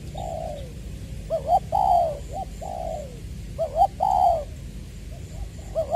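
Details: Caged decoy spotted dove from Tra Vinh, Vietnam, singing in the 'Tieu' style in February 2021: soft falling coos alternating with clipped double notes, forming two clear phrases against a steady low hum.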